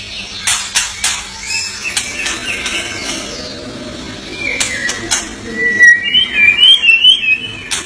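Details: An Indonesian murai batu, or white-rumped shama, is quiet at first amid repeated clicks and knocks, then bursts into a quick series of high, bright twittering whistles near the end.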